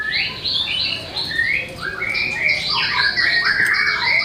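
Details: White-rumped shama song showing off its learned repertoire: a steady flow of short rising chirps and whistled slurs, densely overlapping, with no pauses.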